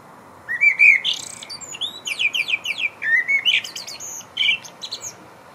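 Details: Common blackbird singing its evening song from the roof of a concrete high-rise, eleventh floor: low, mellow fluted warbles followed by a rapid series of thin, high twittering notes, in quiet surroundings.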